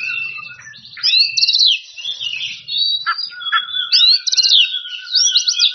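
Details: Oriental magpie-robin in a rival-calling song: dense chattering trills and whistled slides over a long low sustained whistle, a faint low hum beneath.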